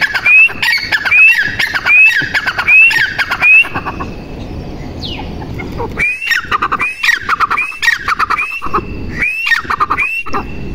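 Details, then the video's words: Repeated rising whistles with gritty clicking from a female grey francolin. The calls pause for about two seconds midway, then resume at the same steady pace. "Teetar Ki Awaz female"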